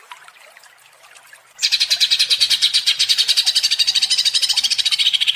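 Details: Greater green leafbird in provoked ngentrok singing, used as a lure: faint background at first, then a sudden loud onset of fast, high, buzzy repeated notes continuing for nearly four seconds.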